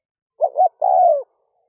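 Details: One phrase from a spotted dove decoy calling at dawn to attract wild doves: two soft, quick hooting notes and then a long, smooth coo that sinks gently in pitch.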